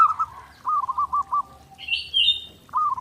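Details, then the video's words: Zebra dove singing on a master recording for daily training: short cooing phrases near one pitch with rapid pulsed trills, repeated in bursts, plus a brief higher-pitched whistled call from another bird midway. "SUARA PERKUTUT GACOR NONSTOP | MASTERAN PERKUTUT JERNIH UNTUK LATIHAN HARIAN"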